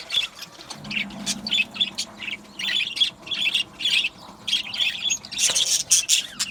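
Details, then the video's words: Budgerigar colony chattering in an aviary, repeated warbled chirps in short bursts, a low steady hum underneath early on, and a loud burst of calls near the end. "Beautiful Budgie singing and chirping sounds | Budgie parakeets sounds"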